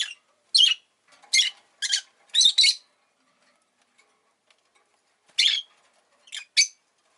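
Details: Pet rosy-faced lovebird chirping: sharp, harsh, high-pitched chirps in a quick burst of five over about two seconds, then a pause and three more chirps.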